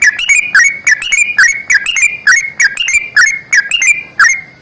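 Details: Sooty-headed bulbul belting out a long-trilled fighting song. Rapid, evenly spaced bubbly whistles with sharp sliding attacks, about three per second, continuing steadily across the whole stretch.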